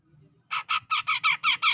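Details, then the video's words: Sumatran grey-cheeked bulbul from tropical forest near Medan in gacor ngepik style, giving seven loud, rasping, broadband notes in an even rhythm, about five per second. "Cucak Jenggot Gacor Ngepik"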